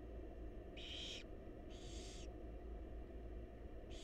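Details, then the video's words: Nest-box barn owl chicks, wild, begging during a feeding by their mother: three snoring, hissy screeches of about half a second, spaced about a second apart, with continuous low-frequency hum. "Barn Owl Mom Lovingly Feeding Her Adorable Babies"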